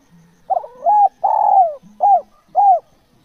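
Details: Spotted dove cooing: four arched, mellow notes, the second long and slowly falling, the others short and rounded, given in quick succession with a faint low hum underneath.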